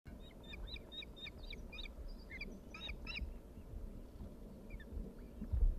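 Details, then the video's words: Osprey chicks being fed at the Dyfi nest on 24 May 2021: bursts of sharp, high whistled chirps, repeated quickly and some rising and falling, over a steady low rumble of wind or background noise. "Dyfi osprey chicks feeding 24/5/2021"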